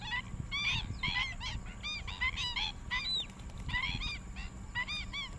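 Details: A juvenile black-winged stilt calls in Rompin paddyfields, Malaysia, on 8 January 2023, giving nasal, yapping, goose-like notes, several a second and overlapping as though from more than one bird, over a low rumbling background.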